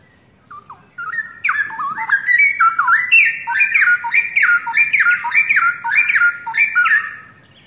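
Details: Straw-headed bulbuls, a young pair taken from the forest and kept for a long time, singing eagerly: a few soft notes, then a sustained run of loud, rhythmic, rising-and-falling whistled phrases repeated about three times a second.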